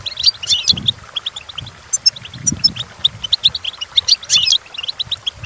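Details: Goldfinch song for teaching young goldfinches: dense liquid twittering with buzzy chattering bursts at the start and near the end, short high notes between, and faint low rumbling beneath.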